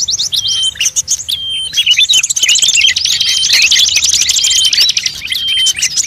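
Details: Bird-luring mix of many species: a busy tangle of sharp chirps, fast buzzy trills and long thin whistles, building into a continuous rattling chatter across the second half.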